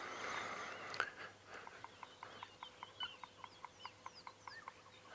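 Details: A bearded woodpecker drums in the distance at sunrise on an African safari drive, 27 October 2016: hard, hollow knocks about four per second, its territorial call warning other bearded woodpeckers. Thin chirps from other birds and a low mechanical hum are also heard.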